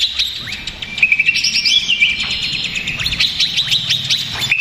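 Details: A stressed greater green leafbird, kept as a lure, gives quick high twittering notes and sliding whistles in an excited, nonstop flow.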